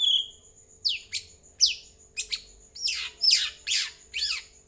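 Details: White-rumped shama song played to coax other birds into replying: a series of sharp, loud downward-sweeping notes spaced roughly every half second, over a faint steady high tone and low background hum.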